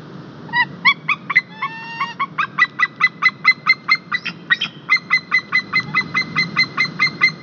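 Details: Male white-tailed eagle at an Estonian nest, live camera, 21 March 2021, arriving with a fish and calling the female to come take it for breakfast: a long rapid series of sharp, ringing yelping notes, about two to three per second, with a low background rumble.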